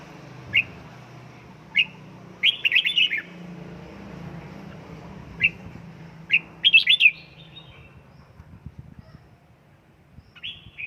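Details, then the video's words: Home-trained caged red-whiskered bulbul, worked up toward fiery form, mixing isolated clipped chirps with two quick bubbling warbled phrases and a final rising note, against low indoor rumble. "Cách luyện chào mào căng lửa"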